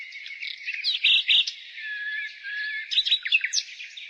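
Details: Nightingale singing in spring: a dense stream of varied chirps and short whistles, with brighter clipped notes clustered around one second and again near three seconds, over a steady wash of high-pitched birdsong.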